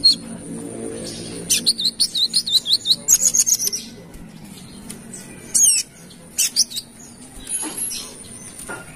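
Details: Kalimantan brown-throated sunbird singing its lively wiceh song as a lure call: a fast stuttering series of high chirps for about three seconds, then scattered sharp downswept tweets with quiet gaps between.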